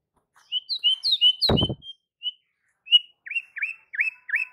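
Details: White-rumped shama singing to provoke other shamas into singing: a run of clear whistled notes, then a string of short down-swooping whistles repeated about every third of a second, with one brief loud thump.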